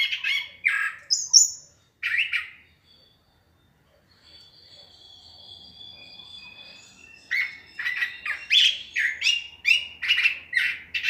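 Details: Curve-billed thrasher singing at dusk: varied, rich warbled phrases and sharp whistled notes in rapid bursts, a quiet pause with faint thin tones mid-clip, then a dense run of repeated chirping phrases.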